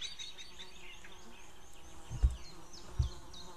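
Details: Calls of a White-tailed eagle, 2 May 2016 near noon, female with a far male; a fast train of short yelping notes, later spaced wider, with two low thumps and background rumble.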